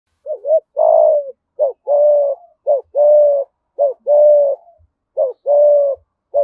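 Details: Spotted dove calling in the thổ style from Đồng Nai, Vietnam, in the rapid 'thúc gù' mode: low hollow coos in pairs, a short rising note followed by a longer level one, repeated steadily, close and clean.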